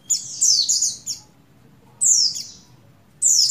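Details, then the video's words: Oriental white-eye, buxtoni form, a breeding-condition female calling the male: a long buzzy twittering phrase of several high downslurred notes, silence, then two more loud buzzy slurs, over soft low hum. "Begini Call Burung Pleci Betina Birahi Memanggil Jantan Merangsang Buxtoni Gacor"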